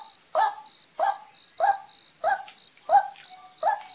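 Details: Female white-breasted waterhen giving short, harsh, nasal notes repeated roughly every 0.6 seconds, six in a row, over a steady high insect drone with faint pulsing insect dashes.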